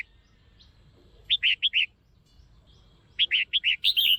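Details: Caged female Red-whiskered bulbul calling loudly to stimulate a male or for pairing: two quick bursts of four bright, chirpy notes, roughly two seconds apart, over a quiet background.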